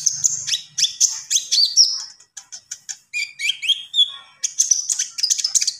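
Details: Common iora in lively song: fast high twittering phrases mixed with downslurred whistles and a lower whistled run in the middle, with short breaks; a faint low hum at the start.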